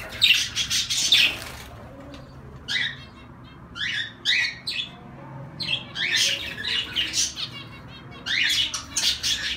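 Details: Zebra finches calling: clusters of sharp, nasal chirps and honks in bursts separated by quieter gaps, with some rapid stuttering notes.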